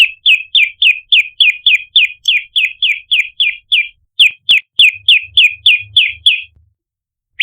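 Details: Prinia lure sound meant to draw in birds: rapid, evenly spaced sharp chips, roughly three to four per second, with a brief pause midway, a click, and faint low thumps underneath.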